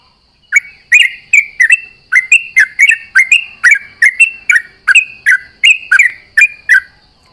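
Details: At dawn during dew-bathing, a sooty-headed bulbul sings energetically in answer to companions, giving a steady stream of short, rich, bubbly whistled phrases, each a quick down-up slur, roughly two per second.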